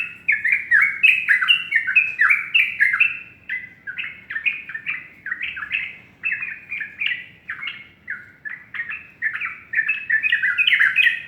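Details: Sooty-headed bulbul in sustained morning song: loud, continuous bubbling whistles, about four notes a second, rising and falling steadily throughout.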